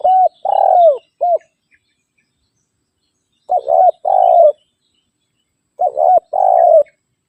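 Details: Spotted dove rival call used as a lure for wild doves, given three times, about every three seconds. Each time a double note is followed by a long, slightly falling, burry coo. The first phrase ends with an extra short coo.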